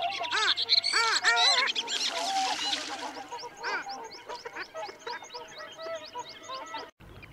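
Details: Long-tailed ducks at Liepāja, Latvia, January 2024: loud arched nasal yodels for about three seconds, then fainter rapid repeated ticking and chattering notes from more distant birds.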